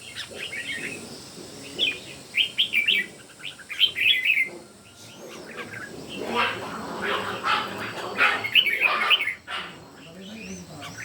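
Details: Red-whiskered bulbuls, three birds singing in competition, give quick warbled whistle phrases. Midway, a stretch of broader rustling noise blends in before the bright phrases return.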